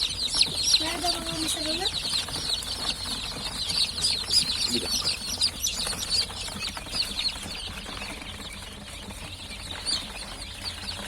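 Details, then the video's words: Just-hatched chicks keep up a busy chorus of high, slightly downward-sliding cheeps, about three per second and fairly irregular. A short burst of human speech comes early, with a faint low hum beneath. "Civciv Sesleri Gelmeye Başladı!!"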